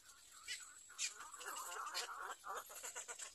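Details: Young little egret in its nest, the third nest watched: harsh nasal calls with rapid pulsed chatter, repeating about twice a second over a hiss-filled background.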